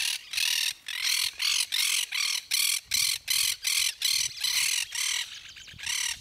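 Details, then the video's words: Yellow-headed caracara (chimachima) in Gualeguaychú, Entre Ríos, Argentina, giving a long run of harsh, raspy screeches, about thirteen broad notes repeated roughly two to three per second, steady and loud throughout. "Yellow-headed Caracara, Chimachima (Milvago chimachima)"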